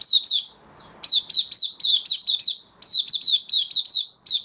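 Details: 'Buka sing' song from a caged white-eye, 18 May 2022, following routine deworming and health supplements: loud, continuous strings of high chirps that each drop in pitch, delivered in quick clusters with brief breaks.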